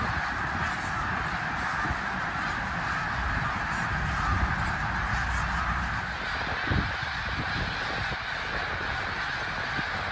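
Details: Snow geese by the thousands on migration through Bath in eastern Pennsylvania, mid-January 2021. Massed nasal honking forms a constant dense chorus, individual calls lost in the crowd, over a low background rumble.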